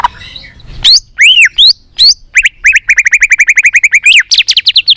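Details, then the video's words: Lively white-rumped shama song to excite other shamas into singing: arched whistled notes, then a long rapid series of high repeated chips speeding into a bright ringing run. "Kích Chòe lửa hót nhiều giọng"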